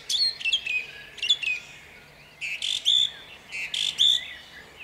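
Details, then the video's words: Song thrush singing at dawn in Jabłonna, 29 April 2021: a short chirpy phrase repeated twice, then a fuller whistled phrase also sung twice, in typical doubled fashion. "Drozd śpiewak śpiewa o świcie w miejscowości Jabłonnej."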